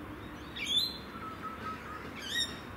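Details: Two shrill, grating screeches from a rainbow lorikeet on an evening in Adelaide, South Australia, well apart, with a faint thin whistle between them.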